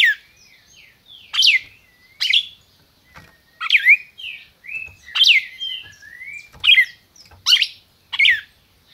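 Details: Captive red-crested cardinal in Brazil, singing in the 'máquina' style: sharp, loud downslurred chips around a dozen times in nine seconds, mixed with softer sliding whistles between them.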